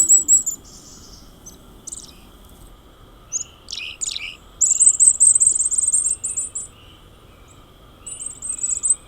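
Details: Black-capped Chickadee high-z alarm calls: very high, thin, hissing seee notes in short bursts, mixed with a few sharper chips; faint steady background hiss.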